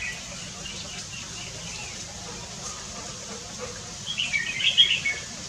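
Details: Red-whiskered bulbul on 3 March 2024 gives one brisk, bubbling whistled phrase near the end after a long stretch of faint background hum.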